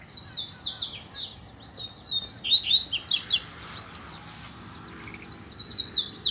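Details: Double-collared seedeater males singing in competitive dispute with a free, loose male: rapid high twittering phrases of slurred whistles and buzzy notes, a louder burst mid-way, then quieter trailing notes and a new phrase starting at the end.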